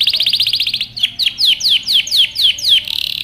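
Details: Male canary aroused and courting a female for mating sings a quick even trill, then a series of slower, loud, downward-swooping chirps roughly four a second, ending in a fast buzzy rattle.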